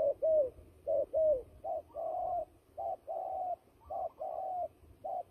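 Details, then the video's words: Turtle dove used as a trapping decoy, giving fighting calls: short hoarse coos alternating with longer drawn-out purring notes, roughly one per second. "fighting dove"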